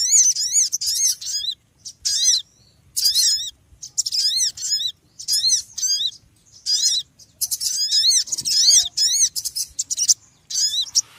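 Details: Noisy small bird chirping in rapid, high bursts of repeated down-slurred notes, some runs longer and denser, with brief pauses throughout.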